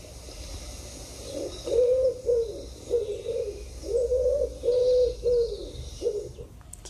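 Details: Pigeon cooing: a run of soft, low, rounded coos, roughly eight in five seconds, each swelling and fading smoothly, over a faint steady background hiss.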